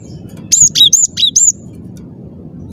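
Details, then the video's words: Short phrase from a cinereous tit: five crisp, very high whistled notes, some sliding downward, delivered in about one second over faint low noise. "ngotot suara jernih, gelatik batu gacor"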